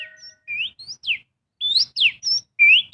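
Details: Oriental magpie-robin song played to encourage other birds to sing: separate rising whistles and sharply descending slurs, with faint steady tones under the opening notes.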